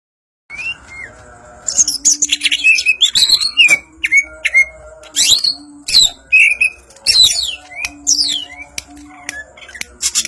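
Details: Greater green leafbird of the Banyuwangi type singing in the ngentrok njambul style: bursts of sharp, sweeping whistled notes and squeaky chirps, some rising and some falling, in quick phrases separated by short pauses, with a faint low steady hum behind.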